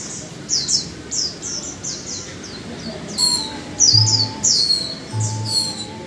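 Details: Caged Japanese white-eye, kept one month, one of a male-female pair, singing a lively chattering song: rapid high thin twittering notes, short descending slurs repeated in quick series, with a faint low hum behind.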